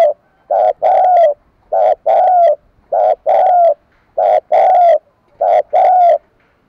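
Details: Spotted dove cooing in a steady series of paired phrases, a short coo followed by a longer rolling coo ending in a slight downward slur, each pair repeated roughly every 1.2 seconds against a quiet background.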